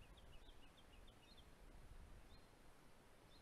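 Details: Sacred kingfisher back in south-eastern Australia in spring after migrating from further north; its strident kek-kek call marks a pair setting up a breeding territory. Faint sharp high notes come in a quick run of about eight within a second, then scattered single notes over low rustling.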